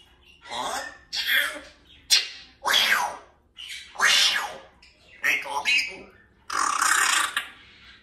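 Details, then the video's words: A 2-year-old African grey parrot on his window perch gives a run of speech-like phrases and harsh, wheezy squawks, each under a second, with short pauses between them. "African Grey Interacts With Owner"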